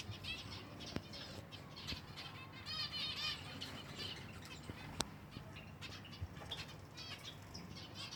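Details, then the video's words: Silver Java sparrows at feeding time, a flock of finches chattering together: dense overlapping high chirps and short rippling notes, with brief clicks and wing or movement noise underneath. "finches feeding time (silver java birds)"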